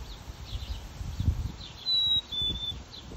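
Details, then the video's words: A Black-capped Chickadee in a back yard in NW Calgary, Alberta, at 12:46pm on 5 July 2022 whistles its clear two-note song, a pure high note then a slightly lower one, over soft chips and low rumbling. "Black capped Chickadee and his nice song"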